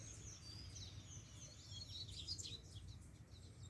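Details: Free-flying double-collared seedeater giving a strong song. High, thin, rapid chattering notes with sweeping slurs run through the middle, fairly faint against a constant low rumble.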